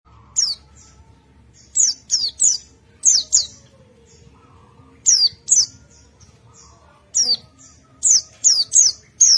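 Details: White-eye singing in ngalas style, responding to another white-eye: very high, thin downslurred notes given in quick clusters of two to four, separated by short pauses, with a faint low hum beneath.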